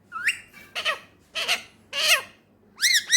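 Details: Indian ringneck male talking indoors in Pakistan: four loud, rich, word-like syllables separated by short pauses, ending in two arched whistled notes.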